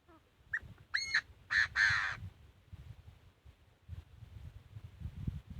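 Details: Chinese francolin fighting song: a rapid series of loud, harsh, buzzy syllables. Two short notes are followed by three longer grating bursts within two seconds. After that the song fades into rustling background noise.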